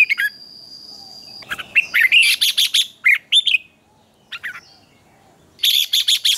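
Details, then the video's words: Red-whiskered bulbul morning competition song: several bright bursts of rapid, ringing whistled and chattered notes separated by short silences, with an electronic whine at the start. "Luyện chào mào hót sáng hót hay"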